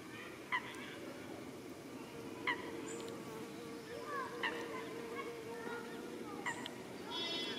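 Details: Grebe in a Netherlands park, a family with chicks on the mother's back as the father feeds them, gives short, sharp, slightly nasal calls about every two seconds, with fainter notes between, over a steady low hum.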